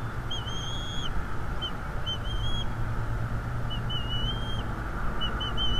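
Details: Male bald eagle at its North East Florida nest, on a livestream during a fight with an intruder: thin, high whistled notes in short bursts and slurred piping runs, over steady hum and hiss.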